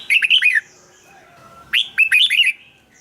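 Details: Red-whiskered bulbul song played for caged birds: two brisk warbled phrases of liquid up-and-down whistles, separated by a second of near silence.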